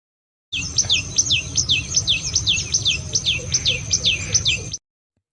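Tailorbird calling: a fast series of sharp, high, descending chirps, about twelve in four seconds, over a low steady rumble.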